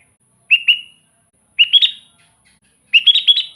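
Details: Sooty-headed bulbul used to lure wild bulbuls; three clear phrases of bubbly, rising and falling notes, from a short double note to a longer four-note warble, about every 1.2 seconds.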